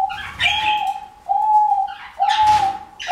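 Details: A male diamond dove displaying, courting a female, gives soft, steady coos about once a second, each opening with a brief breathy, rustling burst.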